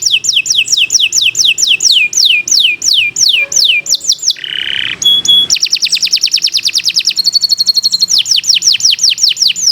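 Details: Tutor recording of a canary's long song: a run of about twenty fast descending whistles, a brief harsh rasp and metallic chirps, then rapid rolling trills and more descending whistles.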